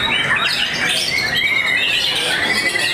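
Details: White-rumped shama in a songbird contest, a bird that took second place; rich, rapid whistled phrases sliding up and down, delivered without pause, with overlapping song and a steady background hiss.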